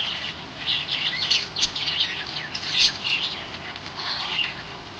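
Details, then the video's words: Happy budgerigar chirping: soft, rambling warble of short chirps and squeaky notes rising and falling, over a steady hiss of background noise. "Happy budgie chirping sound"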